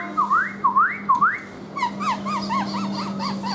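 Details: Black-throated laughingthrush, kept and tame, dancing as it sings with a fanned tail: three loud upward-sweeping whistles, then a quick string of short arched notes repeated several times per second over a low steady hum.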